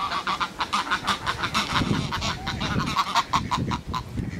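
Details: Two domestic geese squawking together, which they rarely do: loud, harsh, nasal honks in quick overlapping bursts, several per second throughout, with a voice praising them right after.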